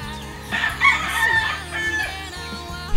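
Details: A rooster crows once in the distance in a small mountain village, San Sebastián del Oeste, Jalisco, Mexico, heard from a hotel room: a drawn-out call rising then falling over about a second, above a low hum and faint music.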